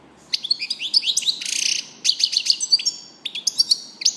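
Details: European goldfinch singing a rapid, tinkling run of twittering and trilled notes high in pitch, with short buzzy bursts and liquid chirps broken by brief pauses; no other sounds stand out.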